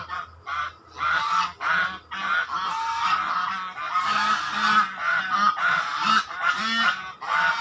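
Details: Continuous swan honking: many overlapping nasal, trumpet-like notes run together into a steady raucous chorus, with a few lower grunting tones beneath the louder calls.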